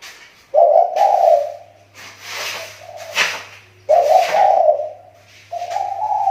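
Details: Riau Islands spotted dove used as a lure bird, voice getting better after a recent drop. Short, throaty coo phrases broken by sharp rustling and knocking noises, with a low hum throughout.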